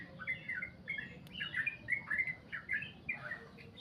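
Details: Long 'goklik' song of a sooty-headed bulbul: short bright chirps and slurred notes in a loose series, with a faint low hum underneath.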